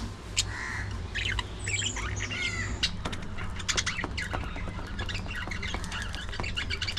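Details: Squawking and chirping budgerigars at early morning feeding time: a few swept warbles early on, then dense, rapid clicks and chatter, with a steady low hum underneath.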